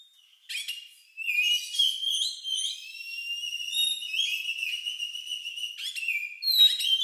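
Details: Oriental magpie-robin (kacer) with an odd, lovebird-like song meant to prompt other birds into singing: long sustained high whistles and slurred notes flowing almost continuously, with a few sharp chirp bursts.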